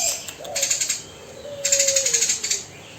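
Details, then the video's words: Eurasian tree sparrow calling rapidly in two bursts of fast, dry, high chirps, roughly eight notes each, separated by a short pause, with a faint low steady tone running underneath. "Burung Gereja Gacor Jinak Tembakan Kasar"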